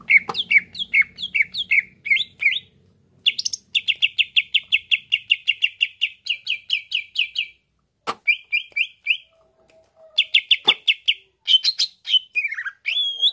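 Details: Extended greater green leafbird song aimed at provoking other birds to sing: whistled slurred phrases, a long fast series of repeated chips, pauses, then more rapid chips and swooping whistles.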